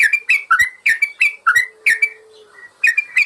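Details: Yellow-vented bulbul song played as training material for birds stuck in silence: clear whistled notes in short bursts, some swooping downward, with a brief gap before a final quick phrase.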